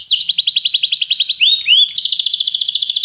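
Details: Canary song played to train other canaries to sing a lot: a very rapid high trill, a brief pair of rising slurred whistles, then another fast, even trill.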